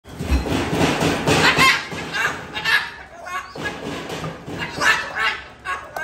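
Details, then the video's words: Pet female Moluccan cockatoo indoors, yelling at an African grey that is messing with her cage: loud, harsh, raspy screeches in repeated broad bursts across six seconds, with a few thumps in the room. "Moluccan Cockatoo Yelling at African Grey"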